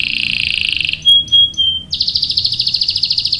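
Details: Canary song used as a lure to get other canaries singing: a fast trilled roll near high pitch, then pure whistled notes, then a rapid buzzy repeated trill in long rolling phrases.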